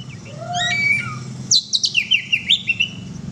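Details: Oriental magpie-robin in gacor song: soft descending whistled notes at first, then a quick run of sharp high chirps and slurred whistles repeated about every fifth of a second, steady low hum in the background.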